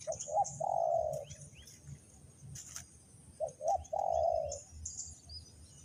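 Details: Spotted dove calling as a lure for wild doves in a trap, Ninh Thuận, Vietnam: two short coos then a long smooth drawn-out one, the phrase given twice, with scattered high chirps and rustling noise.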